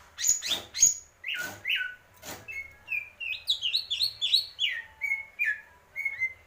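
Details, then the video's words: A greater green leafbird pours out a lively song. Bright chirps open it, then comes a steady stream of short whistled notes, some dropping and some high and buzzy, with faint clicks underneath. "cucak ijo purwo mendem gadong"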